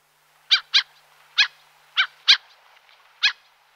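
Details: A common gull gives short, sharp, nasal calls, singly and in quick pairs, spaced irregularly over a few seconds against a quiet background.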